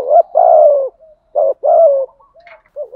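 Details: Spotted dove cooing, male and female, used for training and luring doves: deep, mellow coos, one drawn out, then a short and a longer note with soft trailing hoots.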